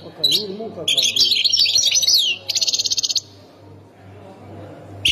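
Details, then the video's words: European goldfinch, Khemis Miliana sector, Ain Defla province: after a faint lower murmur, a dense high twittering phrase and a rapid rattling trill of evenly repeated notes, then quiet and a final chirp, over a low hum. "مقنين سكتور خميس مليانة ولاية عين الدفلى"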